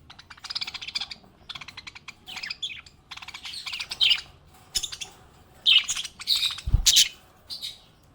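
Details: Budgie in good spirits: soft rapid warbling chatter for about four seconds, then louder clustered high chirps, with a brief low thud near the end.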